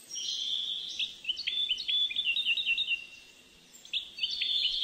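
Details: Captive-bred parva goldfinch, hatched June 2013 of Moroccan and Algerian parents: bright liquid twitters with a held whistled note, then a quick run of repeated chirps, a pause, and more tinkling phrases.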